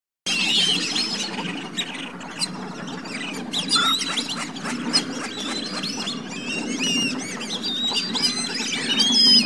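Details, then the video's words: Black-bellied whistling ducks calling together: a dense, continuous jumble of high, thin whistles and squeaky chirps that overlap throughout, some rising or falling, above a steady low rumble. "Black-bellied whistling ducks vocalisation"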